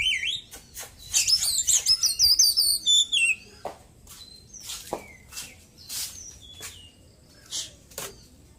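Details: ['Caged white-breasted Oriental magpie-robin after moulting opens with a loud, fast burst of high trilled whistles and small-bird imitations, then continues with sparse sharp clicks and short chips.']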